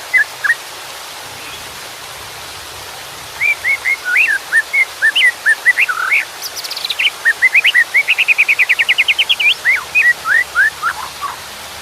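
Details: White-rumped shama song over water in the background: after a few isolated notes, a long varied phrase of whistled slurs, a fast even trill of repeated notes, then descending whistles.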